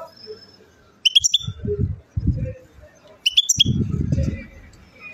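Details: European goldfinch singing at Chouala, Mendes district, Relizane province, Algeria: two short bursts of bright, high twittering notes about two seconds apart, with low murmuring voices or thumps between them.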